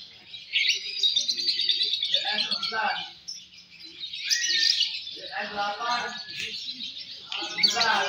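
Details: Lovebirds, fighter class M1 and M2, singing during a Balibu bird-singing competition: a dense, continuous high shrill chatter of rapid twittering notes, with crowd voices talking underneath.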